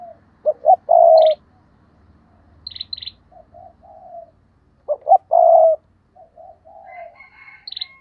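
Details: Decoy spotted dove repeating its cooing phrase twice: quick double notes leading into a strong drawn-out coo, then quieter low coos. Brief high chirps from other birds are heard.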